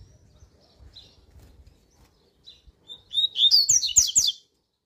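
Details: Double-collared seedeater (coleiro) singing a strong, fast tui-tui style song: faint scattered high notes, then a loud burst of rapid, rising and falling whistled and twittering notes lasting about a second and a half.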